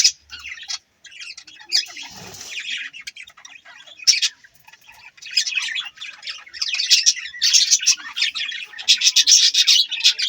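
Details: Budgies chirping, sparse high twitters at first growing into a dense, busy chorus of rapid squawks and warbles toward the end.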